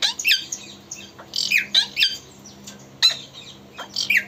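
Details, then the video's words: Talking parrot indoors giving short harsh squawks and rising screechy notes in scattered bursts, with a steady low hum behind. "Talking Parrot"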